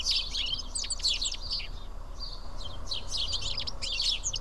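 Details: Seven house sparrows feeding in company at Karyotissa, Greece, give fast, crowded chirps, several per second, in two busy bursts with a brief softer gap between them.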